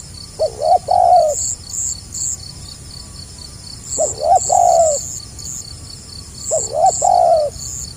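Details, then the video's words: Three well-separated spotted dove phrases in gagap rapat selang nguku style, each with two quick stuttered notes and a drawn-out falling coo, against persistent high-pitched insect calls. "SUARA BURUNG TEKUKUR GAGAP RAPAT SELANG NGUKU"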